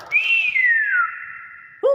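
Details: Nias hill myna producing one long, pure whistle that rises quickly, then slides slowly downward into a held level note, ending with the start of a lower, rough note.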